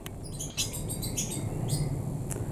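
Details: Canaries in a home aviary, being colour-fed and released into a flight aviary, give a few short, high, thin chirps at irregular intervals over a steady low background rumble.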